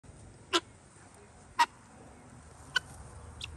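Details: Free-ranging guineafowl going about their daily routine: four short, harsh, broadband call notes spaced about a second apart over a quiet, low background hum.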